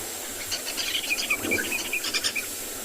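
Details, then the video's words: Jacobin cuckoos calling overhead with quick, bright, ringing whistled notes in a scattered series, on a morning game drive at Djuma Private Game Reserve, South Africa, 10 December 2020. "You can hear the Jacobin cuckoo. No, yeah, the Jacobin cuckoos above us. You might be able to hear them."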